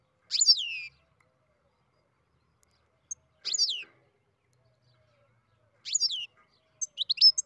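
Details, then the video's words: Beginning song of a captive-bred goldfinch: three similar high, down-slurred phrases spaced about three seconds apart, ending in a burst of thin clipped chirps. The background is silent. "Ξεκίνημα καρδερίνα εκτροφής (Goldfinch carduelis beginning song)"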